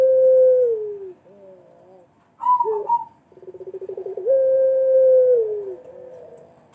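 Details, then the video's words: Pelung dove lure call: a long falling coo, short repeated lower notes, a brief higher warble with a knock, then a rapid stuttering pulse run swelling into a sustained coo that slides downward. "pancingan puter pelung pasti bunyi"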